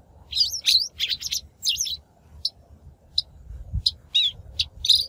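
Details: Shrike lure call for trapping or voice-training caught birds: a busy opening of grating notes and whistled slurs, then sparse single scratchy notes spread out, ending with a few louder chattering notes.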